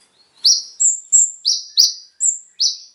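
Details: Konin, or kolibri ninja, song played to prompt captive birds to sing: seven sharp, very high chirps in quick succession, some thin level whistles alternating with downward-sweeping buzzy notes, on a silent background.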